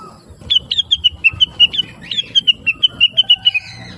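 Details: Blue-winged leafbird singing a chattering training song for other songbirds: quick series of short sharp chirps, several per second, gently falling in pitch, in two runs over low background rumble.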